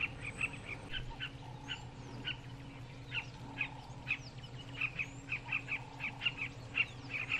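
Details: Southern carmine bee-eaters in Kruger National Park give short, throaty, mid-pitched calls, nearly two a second, overlapping as from several birds, over a steady low hum.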